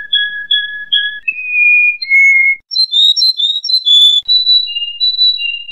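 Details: Canary singing pure whistled phrases: paired low and high notes, a sliding held tone, then a fast burst of chattering high notes and slower alternating whistles, in a quiet setting.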